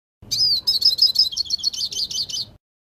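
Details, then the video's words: Hooded siskin giving its metallic song: a rapid series of high, sharp, ringing notes repeated about three times per second, starting with a downward-sweeping whistle and fading slightly toward the end. "PINTASSILGO CANTO METÁLICO"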